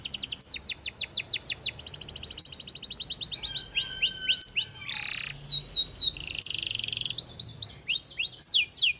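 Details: Canary singing a long varied song of rapid trills and repeated downslurred whistled notes, shifting between rolling buzzy phrases and sharp sweeping chirps, loud and continuous.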